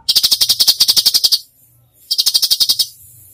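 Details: Cucak cungkok singing 'full tembakan' style for bird training: a long burst of rapid, evenly spaced, shrill chattering notes, a brief gap, then a second shorter volley of the same rapid-fire notes.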